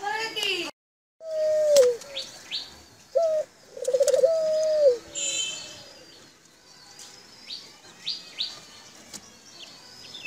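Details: Foreign dove kept in a cage in Bangladesh; several low, drawn-out coos, each slightly falling at the end, in a cluster between the second and fifth seconds, with small birds chirping high in the background.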